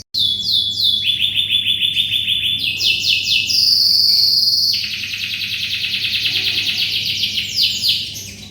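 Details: Canary in full song, used as tutor material for magpie-robins: sustained fast rolling trills that step between several pitches, one pure high whistle in the middle, continuing without pause for over eight seconds.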